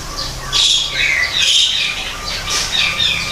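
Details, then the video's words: Greater green leafbird in an aviary made to resemble the wild. Loud, rasping bursts mixed with whistled notes come in a few long phrases, with a faint low hum beneath. "kicau cucak ijo di alam buatan"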